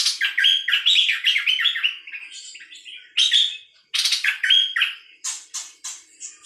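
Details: Bird known in Thai as nok dok taeng: a rapid run of chirpy, warbling notes sliding up and down, broken by harsh, buzzy bursts and loud scratchy rasps, with short pauses between phrases.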